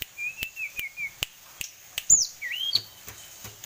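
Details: Captive, tame sulingan gunung singing from a varied repertoire: a row of soft wavering whistles, then a sharp high note and a swooping rising slur, punctuated by regular dry clicking.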